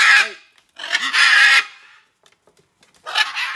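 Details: Free-flying pet macaws on a morning flight near a window, giving loud harsh broadband screeches in two long bursts and a shorter third, with a few faint lower squawks between.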